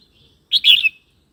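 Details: Red-whiskered bulbul phrase for tutoring young birds and rousing other birds: one short, liquid, bubbling whistle of two quick joined notes, ending in a slight upward flick.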